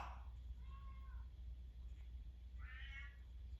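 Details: Merlin, a chatty male Timneh African grey parrot, gives a few short, meow-like calls: one wavering and mid-pitched, a brighter, higher one near the end, over a steady low hum.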